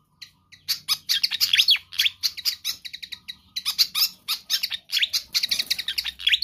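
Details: Pied fantail in lively full song, used to lure or train other birds: rapid strings of bright, high chirps and down-slurred squeaks, nearly unbroken throughout.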